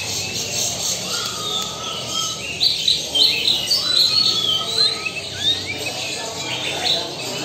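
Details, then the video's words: White-rumped shama of the Lampung Super type giving long flat whistled tones mixed with rapid high chirps and twitters, busy and continuous, against constant hiss. "Murai batu Lampung Super"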